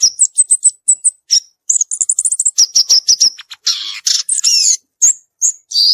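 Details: Violaceous euphonia singing in the wild: a series of evenly spaced high chips, then a quick twittering run and loud harsh buzzy notes, ending in a raspy burst.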